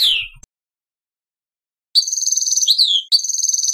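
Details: European goldfinch song phrase, a sortie from a first lesson on the goldfinch's language: a brief downslurred note, long silence, then a high buzzy trill with a descending liquid slur.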